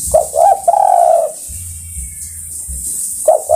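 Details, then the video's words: Calling spotted dove, summoning other birds. One full phrase of two short coos and a long, level coo, then quiet hum, and the next phrase begins at the very end. "Tekukur Memanggil Kawan"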